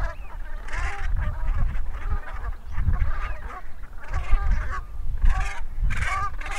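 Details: Brant geese calling: a dense, overlapping chatter of guttural, nasal honks that rises and falls in waves, with low wind-like rumble beneath.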